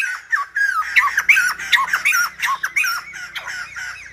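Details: Song of the Silver-headed babbler, compared to a lumba dancer: harsh, squeaky whistled phrases delivered fast and jerkily, about three notes a second, over a faint low hum.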